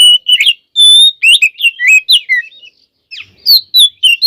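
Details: White-rumped shama song of the full-isian gacor style, used to provoke other shamas: clear sustained whistles mixed with rapid slurred and bending notes, a brief pause, then more whistled phrases.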